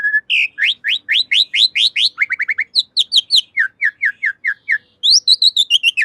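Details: Javan pied starling song used as a master for caged birds: long, busy run of upslurred chirps repeated about three per second, shifting into lower downslurred series and high bright notes, clean and continuous.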